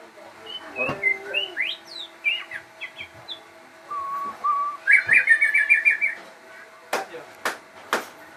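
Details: Crossbred shama kept as a cage bird, singing varied rising whistles, a pair of level notes and a rapid rattling trill, with a few sharp clicks near the end.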